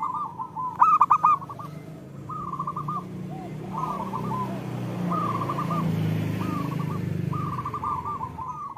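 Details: Local zebra dove cooing in short, fast phrases spaced about a second apart over a constant low background hum.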